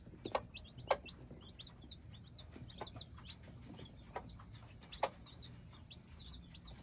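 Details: Several hybrid chicks cheeping steadily, bright high notes repeated roughly twice a second in loose overlapping bursts, punctuated by a few loud knocking clicks.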